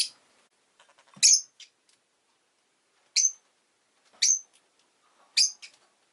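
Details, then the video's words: Shrill, piercing chirps from a pet rosy-faced lovebird, spaced about a second apart, each a short sharp burst with a buzzy edge, with soft clicks and a faint low knock between them. "Lovebird Chirping Sounds"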